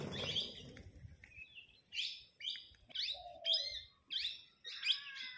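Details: A flock of parrots bickering over food: short, sharp, buzzy squawks spaced about half a second apart, plus one lower, drawn-out tonal note midway, after a noisy, rustling start.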